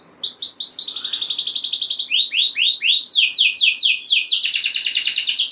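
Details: Canary song aimed at stirring other canaries to sing, with quick rolled trills, a few arching whistled notes, then fast repeated downslurs and a dense buzzy roll.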